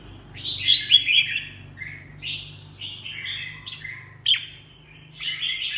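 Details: A red-whiskered bulbul delivers a lively run of varied whistled and slurred notes, some rising, some falling, in quick succession with a few short pauses.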